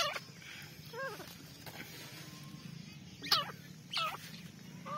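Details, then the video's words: Partridge kept as a hunting decoy, giving a few short, harsh, wavering calls near the start and again in a quick pair later, over a steady hiss and low rumbling background noise. "Shikari teetar"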